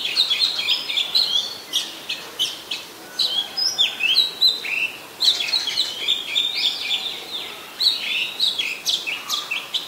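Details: Singing Oriental magpie-robin in Ubon Ratchathani, Thailand, 26 December 2020, Nikon P1000 camera: lively sequence of clear whistles, upslurs and brief scratchy notes, delivered in short bursts with little pause.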